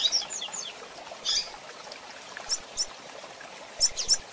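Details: Female double-collared seedeater call, used to excite the male: sharp, very high thin chips, often in quick pairs, spaced irregularly over a soft hissing background.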